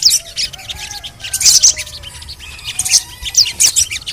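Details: Sogon (crimson sunbird) in therapy audio to get silent birds singing: separated high sharp chirps and short twitter bursts, with faint lower whistles from other birds in the background.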